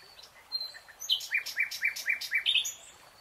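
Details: Nightingale singing in a lush green forest: a few soft introductory notes, then a run of about seven loud, evenly spaced, sharp repeated notes, ending in a brighter burst.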